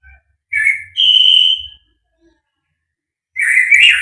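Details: White-rumped shama (murai batu), a full-repertoire fighter bird, gives a short whistle, then a long, steady, clear whistled note. After a pause comes a louder, complex whistled flourish, with soft low knocks in the background.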